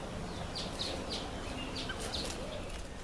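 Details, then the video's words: Red-faced mousebirds, Urocolius indicus, in a nectarine tree: about half a dozen short, high, clipped chirps spaced irregularly over three seconds, against a low outdoor background hum. "Red-faced Mousebirds in the Nectarine tree"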